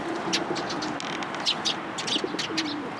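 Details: Several sparrows in blossoming cherry trees at a Tenmangu shrine, 1 April 2023, chirping busily in dense overlapping bursts of bright, clipped notes against low town noise.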